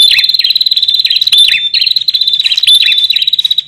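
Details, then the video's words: Male and female bar-winged prinias calling, a recording used to lure wild birds: a dense, high, fast-pulsing trill carries throughout, with sharp downslurred chirps breaking in irregularly over it. "Suara Prenjak JANTAN Dan BETINA GACORRR"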